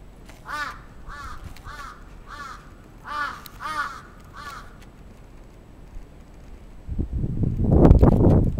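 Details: Attacking crow in Sapporo's Atsubetsu Ward, 27 June 2017: a rapid string of seven rough caws, then silence broken by loud rumbling noise near the end.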